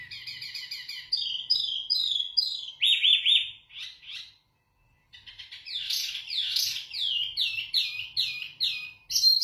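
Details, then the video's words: Loud, clear song of a caged zebra finch used for tutoring: repeated short nasal notes, a flat buzzy tone, a brief silence, then a burst of rapid, harsh, upward-sweeping notes. "Wambi Mini Gacor Lantang Suara Jernih Untuk Masteran"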